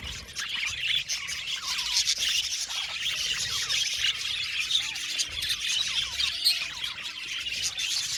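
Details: Many Australian budgerigars in an aviary colony chirping and singing, with sharp squawks and short upward-flicking chirps rising out of constant high, gritty group chatter.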